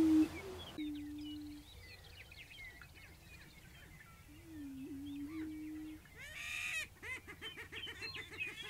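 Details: Outdoors, a prairie chicken gives low, even moaning hoots, one with a wavering hitch. Many small birds chirp and twitter over it, and a short loud buzzy burst breaks in near the end.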